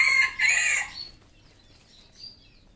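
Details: A red junglefowl on a farm in Cambodia gives a harsh, clipped crow in two quick loud bursts, followed by a faint, thin high call.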